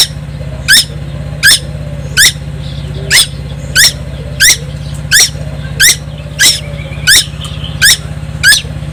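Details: A constantly singing young tuwu on Timor Island delivers harsh stepped notes at a steady pace, about a dozen in nine seconds, over an unbroken low mechanical drone.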